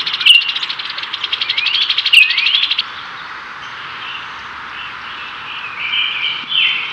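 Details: Male Brown-headed cowbird displaying to a female in spring 2024, Cook County, Illinois, as she catches a cicada. A quick rattle with thin rising whistled slides is followed by softer broken, squeaky notes.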